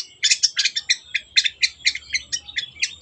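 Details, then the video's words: Long-tailed shrike singing gacor style, meant to prompt other birds to sing: quick chattering notes repeated about twice a second, harsh and high-pitched with some twittering overtones, faint low background hum. "CENDET GACOR PANCINGAN MENGATASI BURUNG MACET ATAU BAHAN AGAR RAJIN BUNYI"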